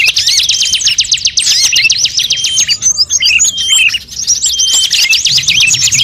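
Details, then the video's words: Assorted birds in a luring recording: rapid rattling trills open, a short lull with scattered squeaky chirps follows, then fast repeated trilling resumes; a faint low murmur runs underneath. "suara pikat semua burung terbaru"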